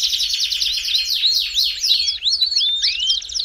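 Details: Fast Belgian canary song meant to warm up a canary, with a rapid buzzy trill and a run of arched whistled notes repeated about every third of a second.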